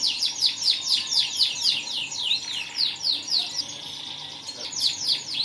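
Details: Caged canary singing loudly: rapid series of high, bright descending whistled sweeps and trills, repeated about twice a second with brief pauses, dense and continuous.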